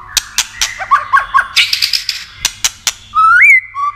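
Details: White-rumped shama song meant to stimulate and excite other shamas: sharp dry clicks at first, then warbled notes, ending in long clear whistles, one rising and one level.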